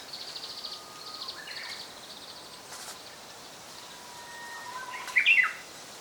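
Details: Japanese robin song from 2014: faint thin whistles come first, then a sudden loud, rattling flourish near the end. Softer high-pitched chatter from other birds runs through the first seconds over a hissy background.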